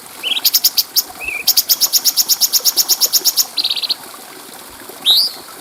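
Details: Bulbul, known locally as cucak cungko, in a clear tutor recording for training other songbirds: a high rising note, rapid bursts of sharp ticking clicks, a short buzzy series, then a bright upslurred whistle.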